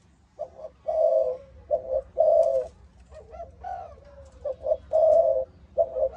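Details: Low, throaty cooing from a Malaysian-bred spotted dove with the 'âm thổ' voice; grouped hoots and long drawn coos, with a softer rising note midway and faint background clicks.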